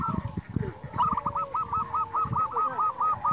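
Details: Local zebra dove (perkutut) call used to provoke rivals: a rapid, regular string of about ten short coo notes, roughly two per second, after some low knocking sounds and steady background hiss.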